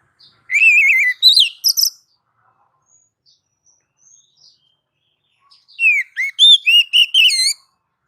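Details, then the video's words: Oriental magpie-robin song meant to make other birds answer: a short warbling phrase with buzzy notes, a long pause with faint distant chirps, then a longer run of varied whistled slurs. "Dijamin langsung nyaut kalau dengar suara masteran Kacer satu ini"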